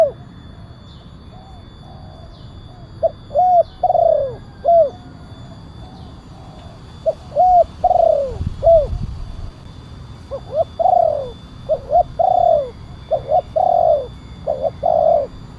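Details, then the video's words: Spotted dove with a big kuk 1 style voice, used to lure wild doves and to train caged birds. Soft hoots open, then repeated two-note phrases ending in falling coos, with a brief low thump midway. "Suara pemanggil burung tekukur kuk 1 penguku suara besar"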